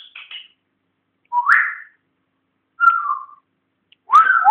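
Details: Indoor pet African grey parrot, a learner talker that whistles often, repeats short mid-pitched whistles about every one and a half seconds, each rising or bending briefly before falling away.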